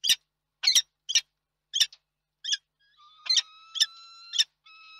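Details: Peregrine falcon at a nest in Reda, Poland, 31 March 2022, giving rasping calls in a steady series; from halfway through, steady thin whistle-like tones run underneath the calls.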